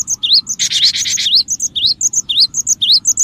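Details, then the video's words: Cinereous tit (gelatik batu) recording used as a lure to attract other birds: quick, high, rising chirps repeated rapidly, broken by a short burst of harsh, buzzy noise in the middle. "suara pikat Burung gelatik batu gacor"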